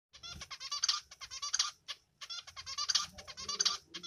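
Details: A male zebra finch (Taeniopygia guttata) sings a rapid, buzzy, nasal song of harsh repeated notes.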